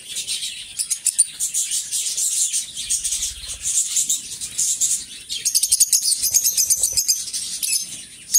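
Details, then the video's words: A pair of companion lovebirds chatter: dense, high, scratchy chirps and squeaks running together, with quick clicky bursts and a few sharper notes toward the end. "Cute Lovebird Chirping"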